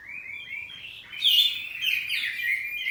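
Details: Kacer poci, the oriental magpie-robin, kept at home and answering in ngeplong song: a few soft sliding notes open into a louder, scratchy, twittering burst of chirps.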